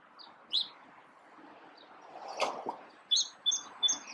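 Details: A male sparrow sings short, bright chirps, scattered at first, then three quick high notes about a third of a second apart, over a dull knock and steady hiss.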